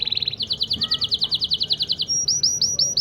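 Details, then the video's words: Syrian local canary song for teaching and motivating chicks to sing: about twenty evenly spaced repeated chirps, then clear whistled notes slurring downward, repeated several times. "تغريد كناري بلدي سوري لتعليم وتحفيز الفراخ على التغريد"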